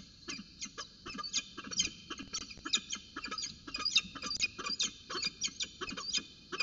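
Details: Peregrine falcons at Orange on a December 4, 2018 morning at 8:27, during a morning briefing and roundabout dance. A harsh, rapid series of chattering notes, about three to four per second, runs throughout over a faint low background hum.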